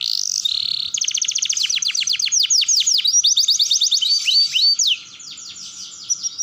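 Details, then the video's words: Canary roll song meant to prompt young canaries to sing: a brief high note, then a long rapid series of falling chirps about four per second, fading into softer trills. "Pancingan Kenari Paud Belajar Bunyi Ngeroll"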